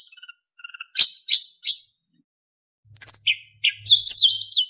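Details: Narcissus flycatcher (sikatan emas), kept as a songbird, in a recording meant to train other birds: soft notes, three loud sweeping chirps, a descending whistle, then a rapid looping warble.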